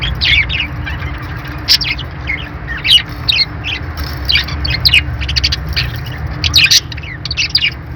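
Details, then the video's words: Pet budgies keep up a lively run of high chirps and harsher squawks for about eight seconds, with rapid overlapping notes and a steady low hum below. "budgie birds sounds | love birds sounds | parakeet chirping sounds"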